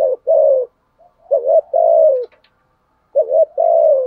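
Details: Spotted dove lure cooing to provoke rival males: long, mellow, slightly descending coos alternating with quick double notes, separated by short silences and a faint click.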